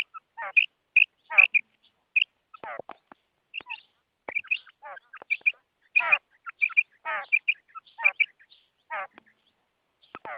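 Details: High, sharp, clipped notes from a female quail, paired and repeated, alternate with harsh, buzzy notes that slide downward. The calls keep an uneven rhythm against a silent background.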